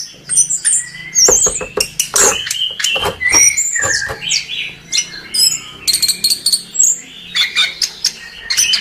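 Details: Varied gacor song of a chestnut-capped thrush, mixing high thin whistles, scratchy chatter and clicks over a faint steady low hum.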